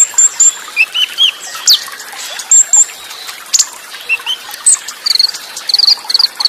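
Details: Olive-backed sunbird Cililin-style burst song with tight pauses and water trickling behind. Thin high whistles and slurred notes are scattered through, then rapid repeated chirps close the phrase.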